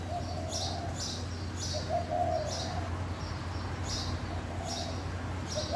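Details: Dove cooing softly in short low phrases about every one to two seconds, heard at breakfast from a hotel balcony in Hawaii; two doves present, thought to be a mated pair courting, with thin high chirps of other birds and steady low hum.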